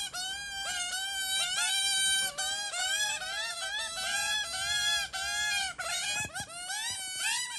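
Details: Australian magpie family, a male and two females, raising chicks: a continuous rich warbling song of flowing, wavering tones that rise and fall without pause for several seconds, with a brief rustle near the end.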